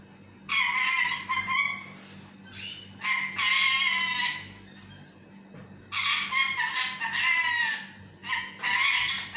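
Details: Pet parrot chattering in its sleep, wanting to take a nap: rapid strings of harsh, stuttering harmonic syllables in two long bouts, a steady low hum indoors.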